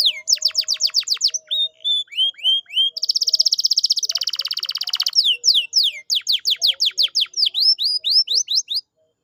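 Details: Canary song meant as a lure to get a reluctant canary singing: rapid series of steep down-swept chips, a long dense buzzing roll in the middle, then more quick repeated slurred notes.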